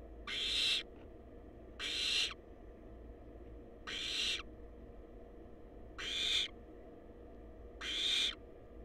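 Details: Barn owl chicks in a wild, monitored nest box hiss repeatedly: five noisy, rasping bursts come roughly every two seconds at slightly uneven spacing, over a faint constant hum.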